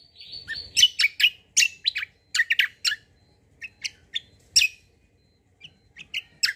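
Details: Kecial kombo white-eye song used as a lure to make other birds answer: bursts of sharp high chirps and short trills in quick clusters, with brief pauses between phrases.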